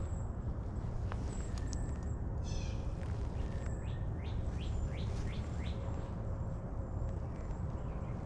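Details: Golden-crowned Kinglets calling in trees at Mill Pond Park on a freezing, sunny winter day: very high, thin short notes repeated through the stretch, with lower upslurred chirps from another bird midway, and steady low wind rumble.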